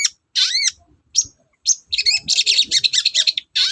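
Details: Long-tailed shrike singing hard as a lure for lazy shrikes: a few arched, upswept whistled notes, then a quick burst of scratchy chattering notes packed together.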